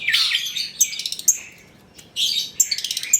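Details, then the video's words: Long-tailed shrike song used to lure other shrikes; rough scratchy phrases and rapid clicking rattles, with a short quiet pause midway. "PANCINGAN CENDET TROTOL AGAR BUNYI, MASTERAN CENDET GACOR FULL ISIAN"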